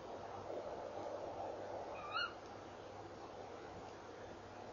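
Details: A female tawny owl at 4:33 a.m. on 3 December 2013, perched by her nest box after eating, gives a single short, sharp, mid-pitched call against a steady background hiss and low hum.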